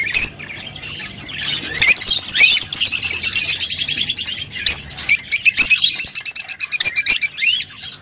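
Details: Rosy-faced and Fischer's lovebirds singing to encourage mating, giving long runs of fast, ticking chirps at a high pitch, with shrill squeaks between the bursts and short quiet gaps.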